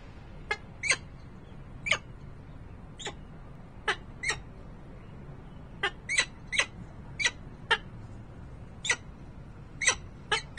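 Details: Peregrine falcon at the nest in Harrisburg, Pennsylvania, 28 November 2020: a long series of short, harsh, broadband calls, single or in quick pairs, roughly every half second to second over a low steady hum.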